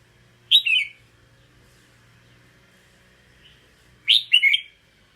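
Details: Red-whiskered bulbul singing two short, rich, warbled phrases, each about half a second long and separated by roughly three seconds of near silence. A faint low hum sits in the background.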